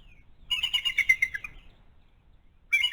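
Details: Bald eagle mother beside her month-old chick, a quick burst of high, squeaky, slightly descending chitters lasting about a second, with another call starting at the end.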